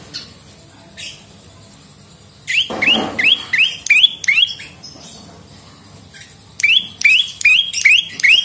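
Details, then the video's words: Prinia (prenjak lumut), recording used as a lure and tutor to prompt singing, giving bursts of sharp upward-flicking high notes repeated in quick runs, separated by short pauses, with a brief low scuffle. "SUARA BURUNG PRENJAK LUMUT GACOR !! PANCINGAN BUNYI / MASTERAN DAN SUARA PIKAT PRENJAK CENG"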